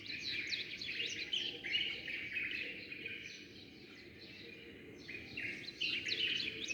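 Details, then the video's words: A flock of sparrows greets the dawn with busy chirping. Quick, irregular tweets and twitters pour out together, ease off briefly around the middle, then build again toward the end. "زقزقة العصافير"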